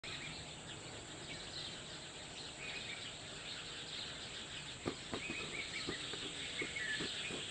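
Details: Morning bird chorus at Painda Khel, Karak, Khyber Pakhtunkhwa, Pakistan: dense overlapping high chirps and twitters run throughout, with a few sharper chip notes toward the end over steady outdoor background noise.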